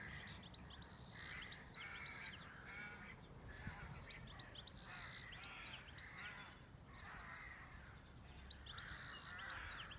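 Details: Birds singing at a farm cottage setting: high, thin chirps and trills repeated in loose bursts over a steady background hiss, with lower harsher notes mixed in.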